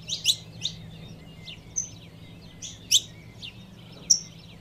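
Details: Female saffron finch calling to warm up a male: scattered high, sharp chirps and short thin notes, irregularly spaced about once a second, over a low background hum.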